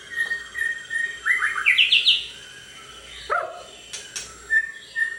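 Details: Long-tailed white-rumped shama kept in a warehouse, with a 32 cm tail, giving a short phrase of quick ascending whistled notes that climb in pitch, then scattered single chips over steady background hiss and faint hum.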